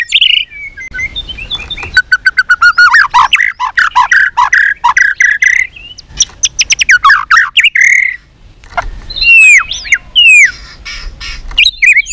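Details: White-rumped shama in fighting song, trained for singing contests and singing in many voices: loud, varied phrases of rapid repeated notes, slurred whistles near the middle register and sharp high upswept notes, with short pauses between bursts.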